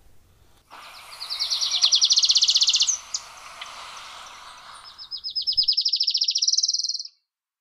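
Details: Adelaide's warbler (Setophaga adelaidae), native to Puerto Rico, sings two high, rapid trills of buzzy repeated notes, the second rising slightly toward its end, over a soft background hiss.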